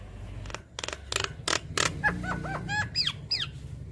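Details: Javan myna lure song: a few harsh rasping bursts followed by sharp descending whistled notes in a quick irregular series, with a low hum underneath.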